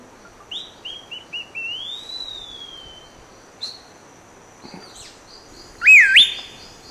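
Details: Rufous piha in Costa Rica, observed during trips in January and October 2021: a loud, explosive whistle that dips then rises sharply near the end, preceded by softer short notes and a long slurred falling whistle, over a quiet hiss.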